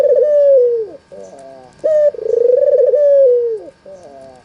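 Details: Lure call of a red-eyed white albino Barbary dove meant to make lazy doves answer: a falling coo, soft stuttered notes, then a clipped note and a long, quavering coo that sinks at the close.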